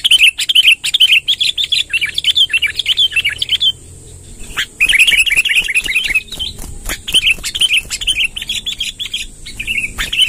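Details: Vigorous long rolling song of a sooty-headed bulbul, used to attract wild birds: dense bursts of bubbly chirps in rolling runs, broken by a short gap near the middle, then further warbled phrases over a constant high hiss.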